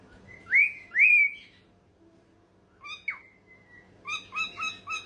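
A cockatiel whistles two rising, slurred notes, then a quick series of bright chirps.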